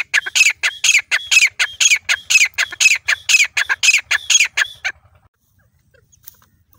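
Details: Grey francolin preparing a place to lay eggs, giving loud, harsh, ringing calls repeated about twice a second in a steady series for five seconds, then silence.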